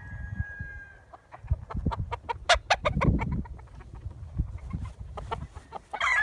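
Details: Chickens and roosters in the morning: a rapid run of sharp hen clucks and cackles, roughly three per second, with a brief crowing note at the start and another at the end.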